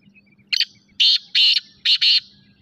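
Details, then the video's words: Harsh rhythmic call of a black francolin (kala teetar): one brief scratchy note, two strong rasping bursts, then a tight pair of grating notes, with a low background hum throughout. "Kala teetar ki awaz"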